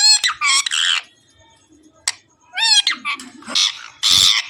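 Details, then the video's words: Pet parrot talking: loud, harmonic, nasal squawking phrases in bursts of about half a second, with a short sharp note in the middle and a harsher, noisier burst at the end. "parrot real sound l cute parrot talking everything"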